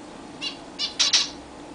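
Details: Pet zebra finches at their first bath in a new, larger cage. Four quick nasal honking calls rising in loudness, the last two louder and close together, over faint indoor hum.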